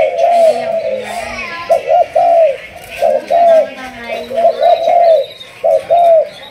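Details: Spotted dove from Malaysia, trained as a decoy bird and bred from a 'thúc gù' cooing line, delivers distinct paired coo notes, short clipped coos followed by longer ones, in regular phrases over a quiet background.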